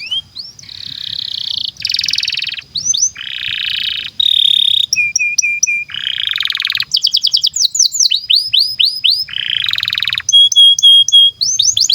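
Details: Long canary song meant to train young and silent canaries: alternating buzzy rolls, repeated low whistled notes, bursts of upward-sweeping chirps and clear whistles, varied and continuous with barely a pause.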